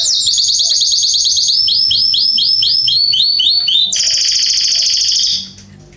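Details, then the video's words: Canary singing in a garden in September 2020: rapid repeated high trills and rolling phrases, switching between tour types, with a long buzzy trill near the end. "Canaries singing in my garden"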